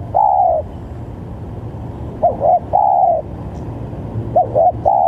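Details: Spotted dove calling persistently to lure rival doves: a long drawn coo opens, then two complete phrases of two brief notes plus one extended coo, roughly two seconds apart, against faint low background noise.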